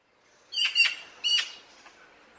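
A Eurasian magpie gives three harsh, rasping chak notes, two close together and then a third after a short pause, against a quiet background.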